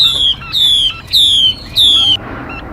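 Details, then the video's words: Female Mi (laughingthrush) lure call for bird trapping: four long, clear whistles, each slowly falling in pitch, spaced about half a second apart and followed by quiet. "Tiếng Mi Mái. Tiếng chim kích bổi, kích trống, luyện giọng bổi"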